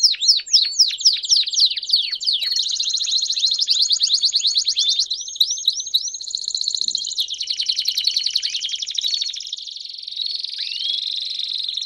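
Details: Several Belgian canaries sing together in fast, continuous trills and rolling phrases, mixed with sweeping high whistles and rapid repeated chirps, with no pauses.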